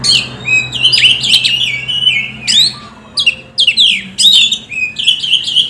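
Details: Oriental magpie-robin lure song meant to stimulate birds to sing: loud, varied whistled phrases with sweeping downslurred notes and short squeaks, repeated in quick bursts with brief gaps.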